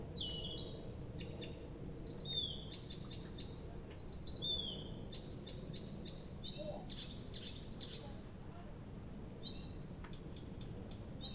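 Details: Nightingale singing through the night near Abramtsevo in early June, recorded from 23:00 on 6 June 2021: varied high whistled phrases, some sliding down, broken by bursts of sharp clicks, with a low rural rumble beneath.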